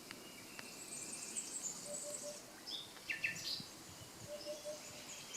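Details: A common nightingale sings by the Canal du Midi near Le Somail, Languedoc, France: varied high chirps and sharp whistled notes with brief pauses between phrases, over a steady background hiss.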